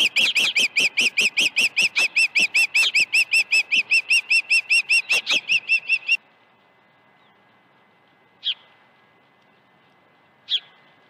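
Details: Osprey calling from its nest at Dunrovin Ranch, morning of 21 August 2019, with fish brought at 7:05 and 7:31 AM. A fast, even string of shrill whistles lasts about six seconds, then quiet with two lone chirps.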